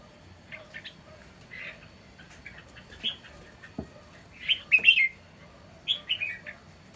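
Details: Caged, wild-caught red-whiskered bulbul singing loudly: short, bright chirped notes and quick slurred phrases in scattered bursts, strongest near the fifth second, over a faint low hum.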